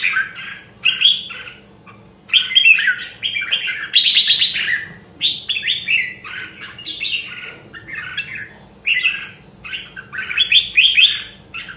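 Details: Caged red-whiskered bulbul of the prized Nam Đông Huế voice, used for voice training: loud clusters of rich, slurred whistles repeated in short bursts about every second, with one harsher buzzy note at four seconds.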